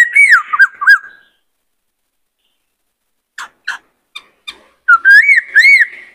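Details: Caged male White-cheeked laughingthrush singing and dancing while a young bird is trained: looping whistled notes around mid pitch in two bursts, separated by a silent gap and a few short sharp clicks.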